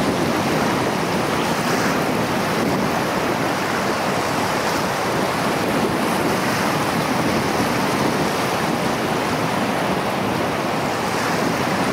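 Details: Steady roar of surf and rushing water with wind, and no animal calls.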